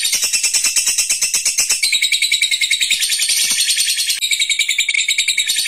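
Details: Lovebird giving a long continuous chatter, ngekek panjang: a fast, harsh, high-pitched run of rapidly repeated notes, about two per second at the pulse level, sustained through the clip with a brief break near the end.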